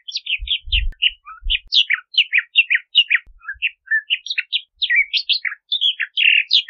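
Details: Bahama mockingbird in continuous varied song: a steady stream of short whistled and slurred notes, rising and falling, changing every fraction of a second, with a few soft low knocks near the start.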